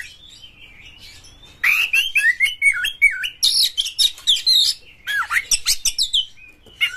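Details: Oriental magpie-robin lure song for stimulating other magpie-robins to sing. After a quiet opening, a dense run of whistled, warbling slides and harsh scratchy notes follows, with a brief gap near the end.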